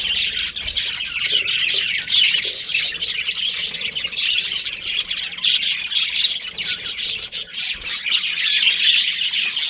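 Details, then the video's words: Breeding pair of budgies giving continuous high, raspy warbling and quick chirps, a tight tangle of scratchy notes with faint low thumps now and then. "Budgies Chirping Sounds"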